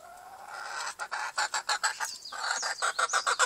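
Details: Several Appenzeller chickens cluck in quick, uneven bursts, roughly three or four a second, with overlapping nasal calls.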